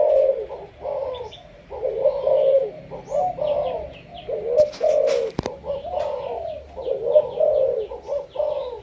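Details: A captive spotted dove from Malaysian stock, meant as a training decoy, cooing in continuous throaty phrases; a couple of sharp knocks interrupt midway.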